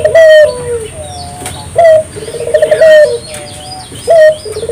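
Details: Puter dove singing vigorously, played to get local puter doves singing too: a repeated phrase of a clear, slightly falling coo followed by a lower pulsed roll, about every one and a half seconds, with faint high chirps from other birds.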